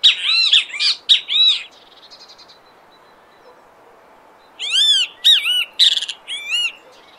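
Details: A great kiskadee calling in the wild in Brazil, giving loud, harsh, buzzy bursts of arched notes in two clusters separated by a few seconds of quiet background.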